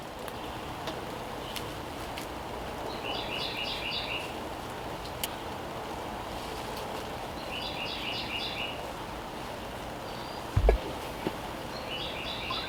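A wren gives short, quick bursts of high, chattering notes about every four to five seconds over a steady rumble of traffic and outdoor noise.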